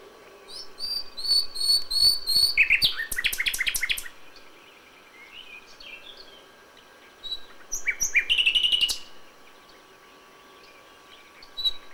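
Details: Nightingale song recorded in May at dawn, two bursts separated by a quiet gap: a series of high piping notes leading into dense clicking rattles, then later a rising whistle and a strong trilled flourish.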